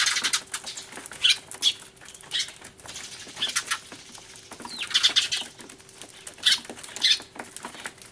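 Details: Sparrows crying in a noisy commotion, recorded 24 March 2013 on a camcorder with a turtledove among them; scattered sharp high chirps in short clusters, with wing flutters and rustling between.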